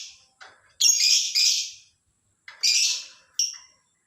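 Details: In the morning a lovebird gives harsh, drawn-out high screeches in two groups, with shorter squeaks and faint chirps around them.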